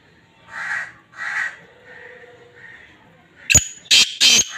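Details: Black francolin calling in breeding season: two soft, hoarse notes, then a loud, abrupt run of three harsh, clicking, rasping notes near the end.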